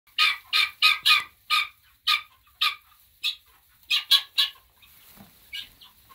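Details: Chicks in a new coop peeping loudly: a run of sharp, high chirps repeated several times a second in bursts, a short pause after two seconds, then more clustered peeps, with quiet background.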